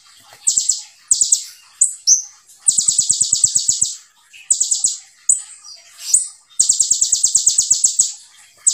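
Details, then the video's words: A sunbird sings very high, rapid buzzy trills in bursts of about a second, separated by short sharp chips and brief pauses. "KONIN GACOR FULL TEBAKAN RAPAT SEJALUR"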